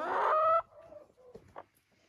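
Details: Free-ranging hens at a country dacha with a large run; their talking is said to mean they are laying. One loud, drawn-out, harmonic hen call lasting about half a second, followed by soft rustling and faint quiet sounds.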